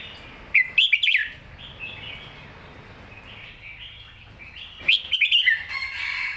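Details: Red-whiskered bulbul, lively and singing clearly, gives two loud bursts of quick warbled notes separated by softer twittering, with faint background noise.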